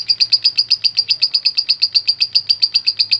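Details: Lovebird answering a lure recording with its "ngetik" (typing) call: a steady, fast series of high, sharp chips, about four each second and nearly identical, with a faint low hum behind.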